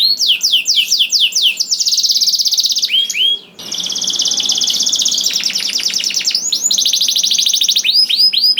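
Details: Canary song to prompt other canaries to sing: fast looping whistles alternate with long rapid buzzy trills, including a short pause midway, then more trills and swooping notes.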